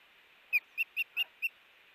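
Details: Osprey at a nest on 5 August 2018 around 7 am, when a chick fledged; five short, sharp whistled chirps in quick succession, evenly spaced, over quiet background.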